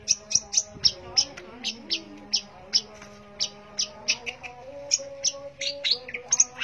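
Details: Long-tailed shrike singing actively, delivering bright, high, clipped notes in uneven bursts, some doubled, with a soft steady background hum throughout.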